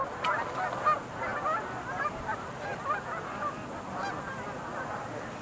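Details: Sandhill crane chorus, slightly more distant, at the Montezuma National Wildlife Refuge Visitor Center pool, 20 November 2021; many overlapping rolling, trumpet-like calls blend into a constant murmur.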